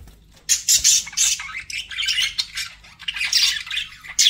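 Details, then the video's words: Budgerigars kept as pets chatter in rapid bursts: harsh, high squawks and buzzy warbled chirps, loud clusters at the start and again after three seconds, separated by brief quieter gaps. "BUDGIE SOUNDS"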